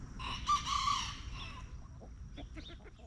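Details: Rooster crowing in a backyard coop among hens. A strong, raspy crow opens the recording, peaking early and trailing off over a little more than a second, followed by a few short, sharp hen clucks.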